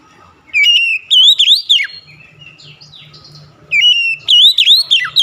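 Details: Oriental magpie-robin delivering two vigorous whistled phrases, steady note then rolling slurred notes sweeping up and sharply down, with a gap of soft warbling and a low buzzing hum between.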